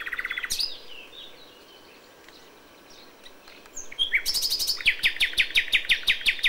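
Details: Nightingale song recorded at dawn in May: a rapid pulsing trill at the start, a quiet gap with faint twittering, then a loud buzzy note and a long run of fast, regular, repeated notes.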